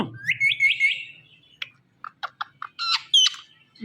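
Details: Indian ringneck parrot kept as a pet talking bird gives a string of four upslurred whistles, falls quiet, then makes sharp clicks, soft chattering notes and two louder harsh calls near the end.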